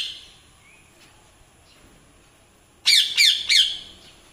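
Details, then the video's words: A young pet rose-ringed parakeet (Indian ringneck) in training gives three loud, harsh, high squawks in quick succession near the end, after a quiet stretch with faint background noise. "INDIAN RINGNECK PARROT NATURAL SOUNDS"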